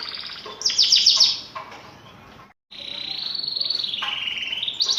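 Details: Lively-singing canary, used as a master recording to coax young or silent birds into song: a bright burst of rapid high trills, a short silent break, then a long steady high whistle with faint pulsing.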